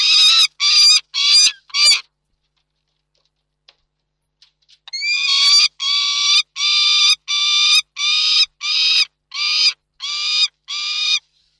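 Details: Peregrine falcons, Reda, 29 June 2024: four short harsh calls, about two seconds of quiet, then a rhythmic series of nine rasping calls spaced a little under a second apart.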